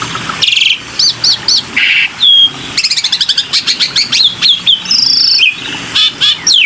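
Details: Lure sound of a black-winged myna: loud, varied phrases mixing high arched whistles, harsh buzzy bursts, rapid ticking series and a long flat whistle near the end.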